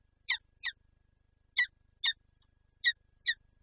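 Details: Peregrine falcon at its Lublin nest with an egg, 19 March 2022: three pairs of short, harsh, rasping chips, each pair quickly doubled, with a soft low rumble underneath.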